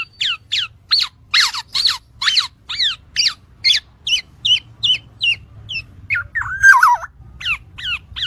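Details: Black-naped oriole, or kepodang, recorded as a tutor track: steady run of short, harsh, falling notes, roughly three per second, broken by a mellow, wavering fluted phrase near the end, then the falling notes resume over a low background hum.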